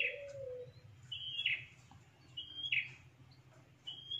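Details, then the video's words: A prinia (prenjak) lure call, used to attract wild prinias: high, thin whistled notes with buzzy edges, repeated about every second and a quarter, over a low steady hum. "SUARA PIKAT PRENJAK"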